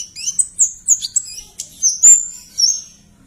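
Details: Energetic, shrill Bar-winged prinia song for training songbirds: a fast clear sequence of high chirps and whistled slurs, several bright notes rising and falling, ending on a drawn-out high note, with a quiet background.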